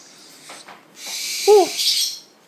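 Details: Blind Spix's screech owl chicks, which turn toward voices, give long, breathy, rasping hisses, two drawn-out bursts within a couple of seconds, with a brief low voiced call in between.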